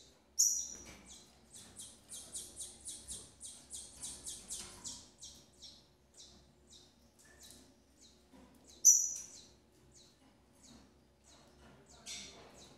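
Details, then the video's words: At a breeding aviary, a female Double-collared seedeater feeds her young; a fast run of high, thin chirps fills the first five seconds, then scattered notes follow with two sharp, louder calls. "FEMEA DE COLEIRO BURGUESINHA TRATANDO SEUS FILHOTES"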